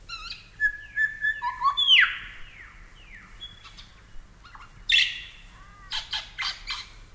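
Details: Superb Lyrebird from Australia, clear whistled notes and a loud downward sweep, then a pause, a sharp burst and a few harsh clicking strokes, with short silences between phrases.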